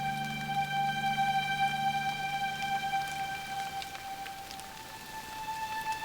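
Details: Sustained synthesizer-like music tones play throughout with scattered light ticking sounds resembling raindrops, and no animal voice is heard.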